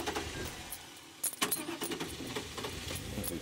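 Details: Metallic jangling and knocks over a vehicle's background rumble, with no clear animal calls.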